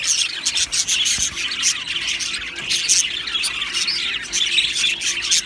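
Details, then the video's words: Happy Australian budgies chirping in a colony aviary, many birds overlapping in shrill squawks, quick tweets and warbling chatter, one soft thump around the first second. "Australian Budgie birds Chirping Sounds"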